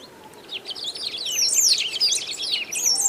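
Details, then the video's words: Great pampa-finch of Brazil, singing loudly and continuously: a dense stream of high, quick, sweeping chirps and twitters that grows louder across the phrase, with little background noise. "CANTO DA SABIÁ DO BANHADO"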